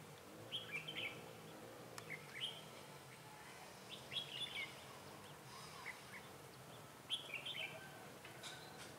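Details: Caged decoy red-whiskered bulbul singing from a trap to draw in rivals, recorded 28 February 2018. Clear, quick whistled phrases with twisting notes come in bursts roughly every one to two seconds against faint background noise.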